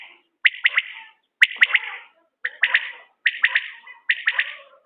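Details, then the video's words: Common quail uttering a steady series of sharp, liquid three-note phrases, four or five in a row at near one-second intervals, with a couple of faint clicks between them. "بٹیر کی عمدہ بولیاں"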